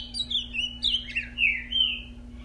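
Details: A captive ultramarine grosbeak that has just mated sings a rich, warbled phrase of high sliding whistles, dipping and rising continuously for over two seconds, over a steady low electrical hum.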